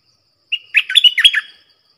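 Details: Caged Streak-eared bulbul kept as a decoy to attract wild birds and teach young ones to sing. A short clear note leads into one rapid, gurgling run of chirpy notes lasting about a second.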